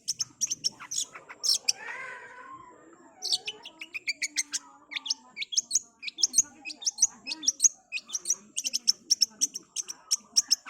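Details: Long-tailed Shrike performing a fast training-recording song: sharp high ticks and whistled squeaks in quick strings, a brief softer warbled passage, then a steady run of crisp clicks.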